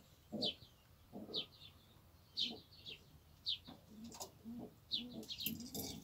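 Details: Domestic fancy pigeons in a fenced coop in Cyprus; low hollow coos come in short bursts about once a second, while sharp high chirps from other small birds ring out above them.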